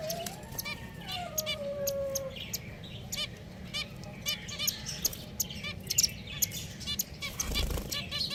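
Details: A group of pet finches gives repeated short nasal beeps. A smooth lower whistled sweep sounds near the start, and a dull thump comes near the end.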